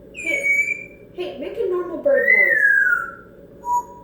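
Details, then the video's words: Excited female African grey parrot kept as a pet indoors, noisy after being brought back home. A sustained high whistle, then a short garbled speech-like mumble, then a long falling whistle and a brief final whistled note. "African Grey Parrot Talking"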